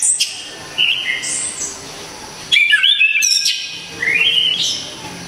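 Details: Orange-headed thrush giving loud, sharp, clear song prized for training other songbirds; several separated phrases of sliding whistles, a dense twittering burst mid-clip, and a rising whistled run toward the end.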